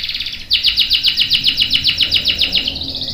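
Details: Canary rolling song meant as a training master for young and adult birds: a rapid, very regular trill of short high notes, about seven per second, sliding into a thin tone at the end.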